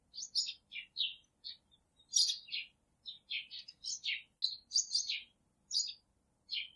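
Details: Three pet budgerigars chirping: a busy run of short, bright, warbling chirps and squeaky notes, given in quick bursts with brief pauses, some notes rising and others falling, in a quiet setting.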